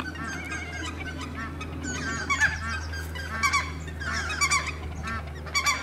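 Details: Spotted whistling ducks at WWT Slimbridge give a chorus of overlapping, reedy whistled calls in short bursts, over a steady low mechanical hum.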